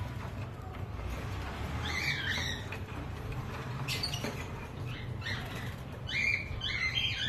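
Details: Cockatiels on a breeding farm give short, scratchy chirps in scattered bursts over a steady low rumble.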